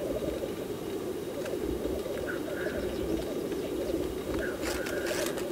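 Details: Black grouse at their display give a continuous low, dove-like bubbling rookoo, and a sharp sneezing hiss breaks through near the end.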